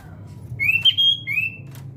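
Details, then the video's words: Brief, clear whistled phrase from a sooty-headed bulbul in fight-mentality training: two drawn-out rising-then-level notes separated by a sharp click, over a low steady hum. "Burung Kutilang mental tarung"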